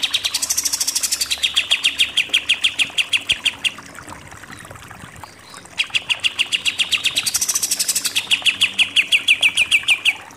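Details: Kapas tembak or pied triller shooting in 'nembak' style. Two long volleys of rapid high chips rise to brighter notes and then slide down into falling slurs. A quiet interval separates the volleys.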